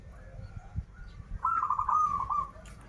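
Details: Zebra dove of a local Banten strain singing in krital and warung kebek style: a single rolling, trilled coo phrase of about one second follows quiet, faint murmuring, over a low hum.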